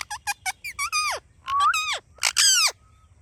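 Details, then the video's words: Ringneck parrot talking: a quick run of short harsh syllables, then longer rising-and-falling drawn-out vocal sounds with rich overtones, in a quiet setting. "Talking Parrot"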